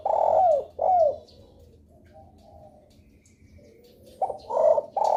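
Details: Spotted dove calling as a lure to prompt other doves to respond, giving low cooing notes: two strong falling coos, a pause with faint murmuring, then a run of three more coos.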